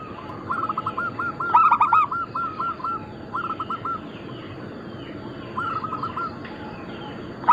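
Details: Several local Bangkok-cross zebra doves, recorded as lure and tutor material, overlap. Long trains of fast repeated coos run through the clip, with one louder stacked burst near the two-second mark.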